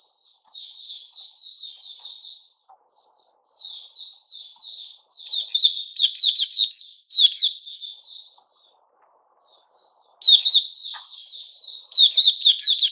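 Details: White-rumped shama singing, dated 29 August 2021; gentle subdued warbling opens, followed by strong rich whistled phrases with sharp high notes, a silent gap, then another loud vigorous phrase.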